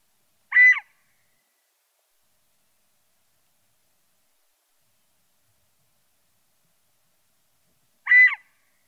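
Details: Scaled quail, a bird of arid regions from the southwestern United States to central Mexico, giving two short nasal calls about seven and a half seconds apart, with silence between.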